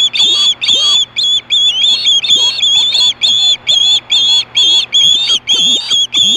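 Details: Osprey at Hellgate in 2014, screaming for fish at 4:19 PM: rapid series of high, sharp whistled chirps, each with a slight upward inflection, delivered in quick bursts with brief gaps between them.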